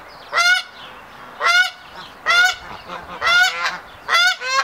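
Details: During pair formation, a male hybrid Canada goose displays before a female in the triumph ceremony: five harsh, loud honks about one per second, each sharply rising, in a quiet background.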